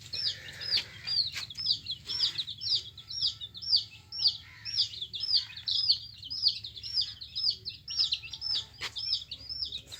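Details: Yellow hen chicks in a group: a steady stream of high, thin peeps, each a short downward-bending chirp, tumbling over one another almost twice a second, with a few sharp clicks beneath.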